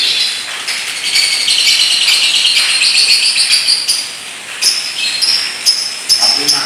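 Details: Paskun lovebird giving long ngekek chatter in a unique style: high, scratchy rattling trill for about four seconds, then broken into short bursts with brief pauses near the end.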